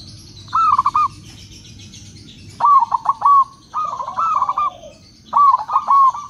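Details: Local and crossbred zebra doves answering each other, cooing in soft, rolling phrases around one kilohertz, each a quick stutter of notes ending in a longer trill, repeated several times.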